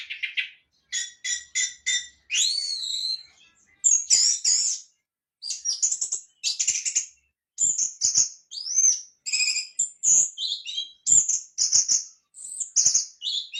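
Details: Orange-headed thrush singing a rich, varied stream of clear whistles and buzzy trills. Short high phrases of rising and falling notes follow one another with brief pauses. The background is quiet.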